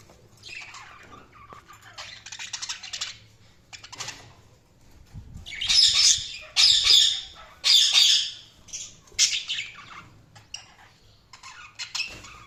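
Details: Budgerigars chirping: bursts of harsh, squawky chatter that build up and are loudest between six and eight seconds, then trail off into softer scattered chirps.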